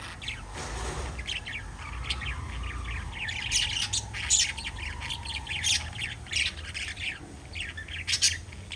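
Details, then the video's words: Pet lovebirds kept together, chirping in a steady stream of sharp, high squeaky notes and short harsh squawks that come in quick bursts, with a low steady hum underneath. "LOVE BIRDS CHIRPING sounds"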